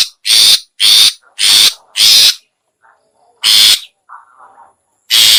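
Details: Shrike lure sound (long-tailed shrike, locally cendet or pentet): four harsh, scratchy bursts in quick succession, a pause with faint softer notes, then two more rasping bursts.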